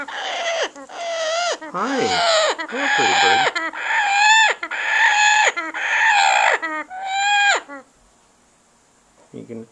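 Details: Adopted female Salvin's Red-lored Amazon, about twenty-some years old, in breeding condition while nest building; loud harsh squawking calls in a run of about eight long strident notes over eight seconds, then quiet with brief faint sounds.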